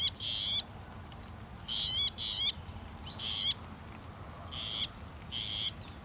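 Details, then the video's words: Northern mockingbird giving harsh, buzzy phrases, each repeated two or three times with gaps of about a second, over faint background noise. "The song of the Northern Mockingbird"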